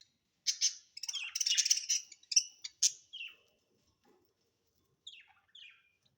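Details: Pet budgerigars at home; a busy run of buzzy, scratchy chirps and chatter, fading to a few soft chirps after a pause.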